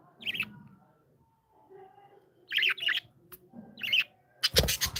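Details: Playful pet budgies utter a few brief scratchy chirps and twitters in separate bursts, with quiet low rumbling between and a sharp loud knock or rattle at the finish.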